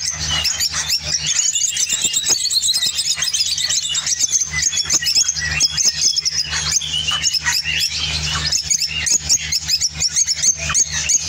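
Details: Opline orange lovebird from Spain singing: a dense, unbroken stream of high, scratchy chirps and squeaky twitters with rapid clicks throughout, over a steady low electrical hum.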